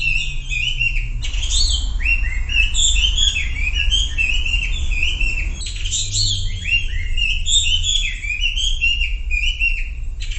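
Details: Sumatran leafbird song used as a lure to get silent birds singing: dense, rapid sequences of bright slurred whistles and chirps, falling and rising notes tumbling together, with a brief pause near one second and a steady low hum underneath.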